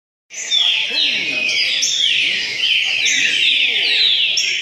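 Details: Green-winged saltators (trinca-ferro) of the repeater style singing at a singing tournament in Cachoeira Paulista, Brazil: loud, slurred, descending whistled phrases repeated in quick succession, several birds overlapping.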